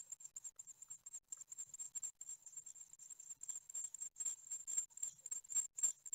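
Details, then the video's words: Great tit chicks in a nest at Ostwald, fed on their ninth day, 15 June 2020, produce a continuous stream of piercing high hissing pulses that grow louder and denser toward the end. "Séquences nourrissage (9ème jour) - 15/06/2020 - Les Mésanges Charbonnières d'Ostwald"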